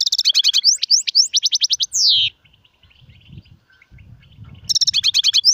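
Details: European goldfinch song, in styles called Sarfati, Gzrati and Sersir: a fast run of high, sharp chirps and twittering notes that ends in a longer buzzy sweep, then a pause with faint low rumble and a new twittering burst.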